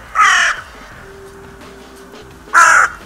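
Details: Two harsh, broad caws separated by a two-second pause with a low steady tone between, from crows at the Steinrevier feeding site, recorded live on 6 January 2022.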